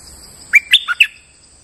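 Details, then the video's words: Lure recording of a moulting bulbul singing normally: four crisp whistled notes in one quick phrase, climbing, dipping low, then ending high, with a steady high whine behind. "Suara pikat merbah lekir gacor"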